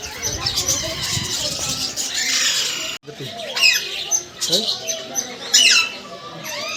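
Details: Parrots in a group give a steady wash of high chatter, then after a brief break come sharper separate squawks and rising, falling whistled notes at irregular intervals.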